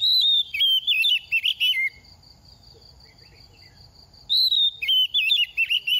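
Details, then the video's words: Oriental magpie-robin, a moulting captive bird, singing to stimulate other birds: varied whistled warbling phrases, then a long, steady, thin high tone lasting about two seconds, and more rapid whistled phrases at the end. "Kích chim hót mùa thay lông | Choè than bánh tẻ lên 2 vụ mau mồm đang rớt lông p3 Kích Choè Than Hót"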